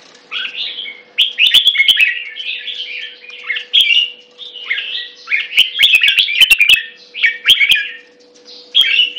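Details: Red-whiskered bulbul song: bright, warbled whistled phrases in quick bursts with short pauses, punctuated by sharp clicking noises and a steady low electrical hum underneath.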